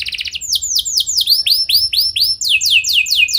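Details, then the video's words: Canary song used as a training lure to get other canaries singing: rapid series of downward-sweeping whistled notes, shifting into lower repeated arcs and then a fast descending trill, all high-pitched and bright. "Pancingan Burung Kenari Biar Gacor Ngeroll Panjang! Pasti Nyaut Kenari Manasaja"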